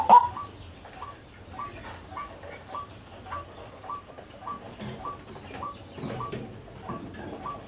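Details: White-breasted waterhen, recorded for luring birds, giving soft, short rising notes spaced evenly about every two-fifths of a second in a steady, quiet series. It opens with one louder note, and faint low background hum is present.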